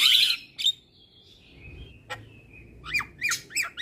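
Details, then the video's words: Javan myna song used as a master recording for tutoring reluctant mynas: a loud harsh squawk, then sliding whistles and a run of sharp, rapidly descending notes near the end. "Jalak Kebo Malas Bunyi Dan Jenis Burung Jalak Lainnya Cocok Di Kasi Masteran jalak Kebo Ini"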